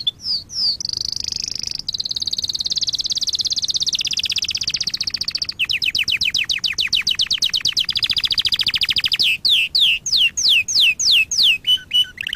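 A canary sings high, sustained trills that shift into rapid buzzy rolls, then ends with bright downward-sweeping notes about three per second. No other sounds.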